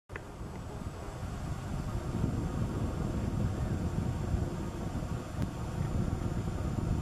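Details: Low rumbling wind and engine-like noise throughout, with a faint steady high tone and a single click, and no animal calls.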